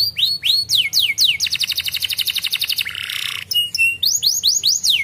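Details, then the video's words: Canary song meant to stimulate caged canaries: sharp falling whistles, then a long rapid rattling roll, a short harsh buzz, a steady whistled note, and more repeated downward sweeps. "the canary leaked for the lazy canary sounds"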